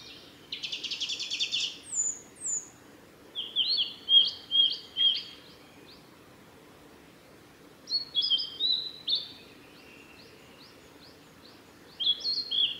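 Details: A male Blue-and-white flycatcher sings on the Mizusawa forest road in Tanzawa, Japan, on 28 May 2021: bright, high whistled phrases ending in buzzy notes, given in bursts with short pauses, over a quiet background hum.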